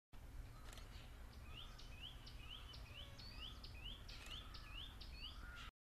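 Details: Heart-spotted woodpecker (Hemicircus canente) giving a steady series of short, squeaky upslurred notes, about two per second, over a low background rumble; Thattekad, Kerala, India, 24 January 2011.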